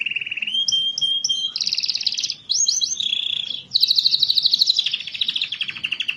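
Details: Canary song played to stimulate lazy canaries to sing: fast varied phrases of rapid trills and buzzy rolls, a clear whistled note near the start, then rising sweeps and a long pulsing rattle, continuous throughout.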